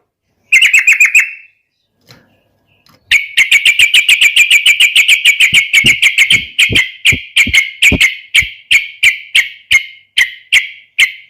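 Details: Yellow-vented bulbul in full 'gacor garuda' song, used as a lure to prompt other birds to sing: a short burst of sharp notes, a pause, then a long run of loud, evenly spaced chipping notes, about three per second.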